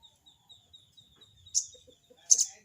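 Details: Crested jay (sogon) answering a rival with harsh 'crecet' calls: one high rasping burst, then a louder double burst less than a second later. A thin, faint chirping and a few soft low clicks sound in the background.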